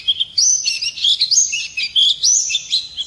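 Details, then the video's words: A white-eye sings at daybreak, pouring out thin, bright chirps and slurred whistles that rise and fall rapidly in a continuous twittering stream. "Nghe chim khuyên hót hay mỗi sáng"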